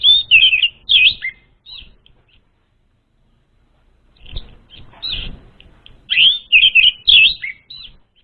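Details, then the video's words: Orange-headed thrush lure song for untrained birds: quick, rich warbled phrases at the start, about two seconds of silence, then a louder stream of rapid, varied whistled notes and downslurs. "SUARA PANCINGAN UNTUK ANIS MERAH BAHAN"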